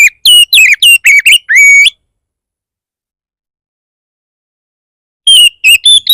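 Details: Oriental magpie-robin song used as a lure to provoke other magpie-robins into singing: loud, clear whistled notes bending up and down, a quick run of six phrases, then a pause of about three seconds before three more sharp whistles.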